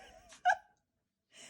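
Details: A very vocal pet rose-breasted cockatoo (galah) with missing tail feathers gives one short, harsh, nasal squawk. Soft murmuring comes before it, and a faint breathy sound follows after a pause.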